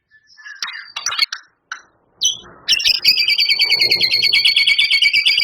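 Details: Vigorous White-rumped shama song with mimicked phrases of canary, cililin and lovebird. Scattered scratchy chips and short notes give way to a dense, fast two-toned rattling trill that carries on to the end.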